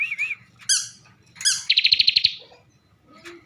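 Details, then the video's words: Caged bar-winged prinia from Slawi, Tegal, Central Java: a short wavy whistle and sharp chip notes, followed by one brief, fast rattling trill and then quiet squeaks. "ciblek gacor isian mewah"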